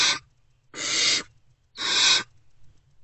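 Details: Three rough, breathy hisses about a second apart, given by hungry great horned owlets in a wild owl nest box around dawn, 3 March 2024, reacting to an adult coming back.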